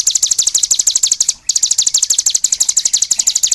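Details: High, fast cigun trill of crisp repeated notes, briefly halted by a short break in the middle and then resumed at the same rapid pace.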